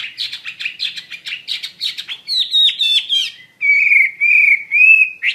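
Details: Chinese hwamei song opening with a jumble of fast chattering notes, then sharp rising whistles, then long, even, sustained whistles near the end.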